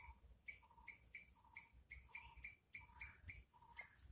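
A brown-headed barbet repeats quick, throaty two-part notes, a lower hoot then a higher one, about three per second, over a quiet low hum.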